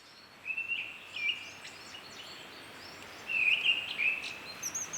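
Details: Mistle Thrush singing in a sing-and-pause pattern: a brief whistled phrase of a few notes, a silence of about two seconds, then a second fluty phrase, over faint background hiss.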